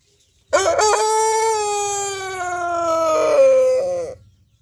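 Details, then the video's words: Rooster crowing: one long, loud, harmonic-rich cry held steady for about three and a half seconds, slightly brightening near the end before stopping abruptly, on an otherwise quiet background. "Rooster Crowing Sound Effect"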